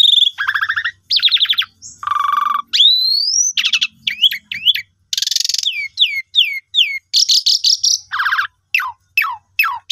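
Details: Asian pied starling song used as a lure to get silent caged birds singing: a rapid jumble of buzzy trills, chattering bursts and rising whistled slurs, with short pauses between phrases.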